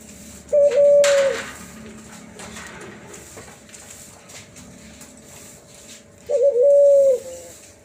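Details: Hybrid Cuhu Kelantan dove, offspring of a Kelantan spotted dove and tangerine ringneck dove, producing two widely spaced pure whistled coos in the 'suling' style, each with a quick rising start, quiet background between.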